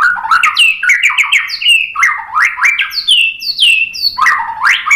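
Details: White-rumped shama singing in a lure recording meant to draw responses: bright whistled notes swept rapidly upward and downward, delivered in quick, overlapping bursts with few gaps.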